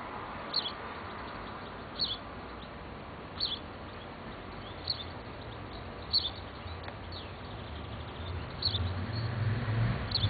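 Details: A house sparrow fledgling that has just left the nest begs with short, high chirps every one to two seconds while a female feeds it, Bad Sulza, 26 June 2009, over rumbling road traffic that swells near the end.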